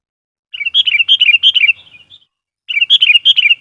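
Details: Singing sooty-headed bulbul lure bird, whose song is meant to agitate and attract wild bulbuls: a quick burst of liquid, falling whistled notes trailing off into softer twitters, a pause, then another rapid bubbly run.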